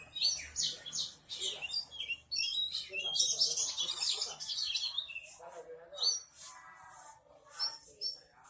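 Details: Caged Oriental magpie-robin (kacer) on a training perch, calmly delivering its repertoire of learned filler phrases: rapid, varied high whistles and chattering bursts in quick sequences, with short pauses, faint voices in the background.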